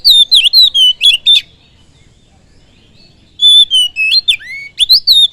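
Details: Oriental magpie-robin lure song to provoke other birds: crisp, loud whistled phrases with sharp twisting notes in two bursts separated by about two seconds of quiet, over a clean background.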